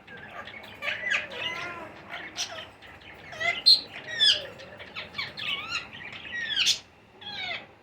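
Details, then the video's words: Baby Indian ringneck parakeets being fed, giving a steady stream of short harsh squawks and rising and falling chirps, some bursts overlapping, with brief quiet gaps between bouts. "Baby Parrots Feed | Chote tote ki khorak"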